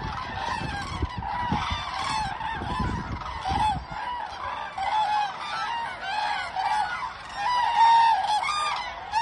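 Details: Common cranes dancing at Hornborgasjön, Sweden: many overlapping trumpeting, honking calls from a group, repeated continuously with layered voices, over low rumbling noise during the first four seconds.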